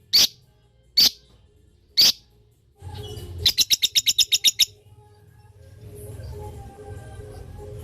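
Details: Lovebird in its long typing-style chatter, used to prompt other lovebirds to reply: three separate piercing chirps a second apart, then a quick burst of about nine rapid high notes, followed by low background rumble.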